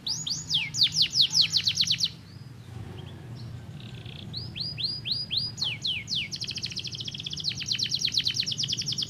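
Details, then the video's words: Canary song played to stimulate other canaries into singing: fast series of looping whistled notes, a quieter gap with soft warbles, then a rising run of sweeps into a long dense trill, low hum beneath. "poderoso! estimula muito rapidamente o som de um canário"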